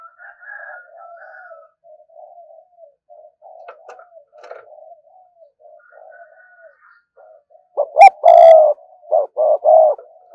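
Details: Spotted dove decoy cooing to draw in wild doves: a long stretch of soft, low murmuring coos and faint higher notes, then a burst of loud, clipped coos with a sharp bright note in the last two seconds.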